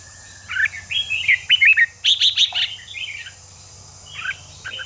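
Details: Red-whiskered bulbul singing, played to stimulate caged bulbuls and keep them fired up for competition. Slurred, fluty warbles come first, then a rapid run of four bright chirps and softer trailing notes, with a constant low hum behind.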